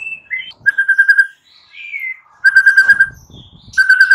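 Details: White-rumped shama morning song for stimulating silent birds: pure whistles and a sliding note, then rapid bursts of identical clipped notes repeated several times.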